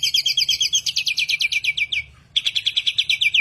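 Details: High, ringing trills of fast repeated notes from a bird praised for mimicking many sounds, with a brief pause before a second equally rapid burst.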